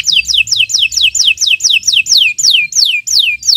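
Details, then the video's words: Canary repeating a loud down-slurred whistled note about one and a half times per second, steady and rhythmic, from a long song meant to train other birds. "Kicau Burung Kenari 144 II LUAR BIASA GACOR PANJANG Cocok untuk Masteran"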